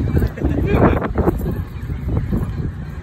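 Emperor geese give a few harsh, nasal honks in quick succession over a low background rumble.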